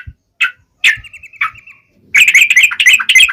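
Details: Wild-style vigorous singing of a Yellow-vented bulbul, meant to provoke other birds: a few isolated notes and a short trill, a pause, then dense rapid bubbly chatter.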